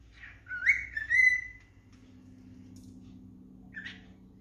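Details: Pet cockatiel singing at home: a couple of clear whistled notes, one rising and one held, then a short whistle a few seconds later, with a person talking quietly.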